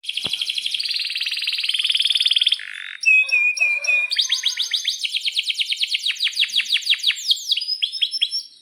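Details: Canary in full song, used as a lure to make other canaries sing: a long buzzing roll, then rapid high chirps and a fast run of repeated sweeping notes, loud and continuous throughout.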